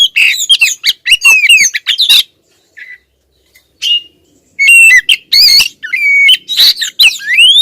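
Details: Female Oriental magpie-robin calling at a male. A busy burst of whistles and squawks, a quiet middle with a few soft notes, then loud clear whistles and a long rising slur.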